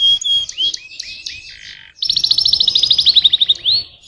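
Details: Canary singing: short upward-sweeping whistled notes, then a rapid, bright trill of evenly repeated high notes lasting about a second and a half, ending on a rising whistle.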